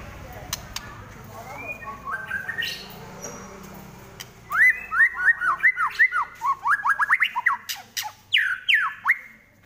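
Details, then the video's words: Fighting white-rumped shama: softer notes at first, then a fast, regular series of loud down-slurred whistles, about three per second, ending in longer falling sweeps. "Murai Lepas Trotol Tarung"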